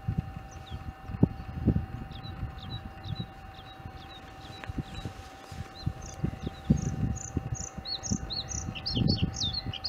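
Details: Returning Bluethroat singing on 4 April 2021, early in spring after its arrival. Its varied high chirps and whistled notes build into quicker clustered phrases toward the end, above a constant low rumbling background.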